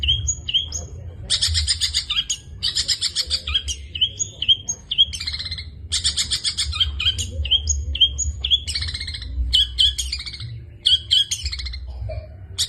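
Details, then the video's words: Long-tailed shrike giving 'gacor full isian' song: short clear whistled notes alternate with loud harsh buzzy bursts, then quickening chirps and twitters over about twelve seconds. "burung pentet gacor full isian"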